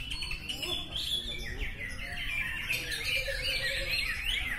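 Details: Greater green leafbird, known locally as cucak ijo, singing at a bird singing contest in Batang, Indonesia, held around Megengan: a busy, rambling run of bright chirps and slurred whistles, with several birds and crowd chatter in the background.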